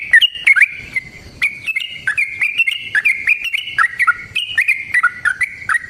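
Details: Yellow-vented bulbul giving a long, rapid fighting song as a lure for other birds: a continuous chatter of bubbly, warbling whistles, rising and dipping, mixed with sharp ticks.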